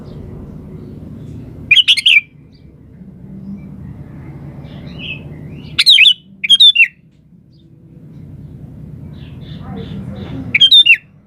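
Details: Vigorously singing gacor sooty-headed bulbul repeating short, bright, bubbling whistled phrases at irregular intervals of about two to four seconds, four phrases in all, over a low murmuring background and faint distant chirps.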